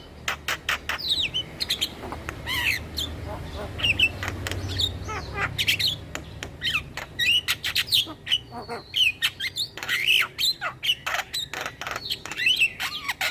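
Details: Javan myna chattering song played to lure mynas and starlings. A long, busy sequence of clicks, harsh squawks and brief whistles runs almost without pause, with varied phrases throughout.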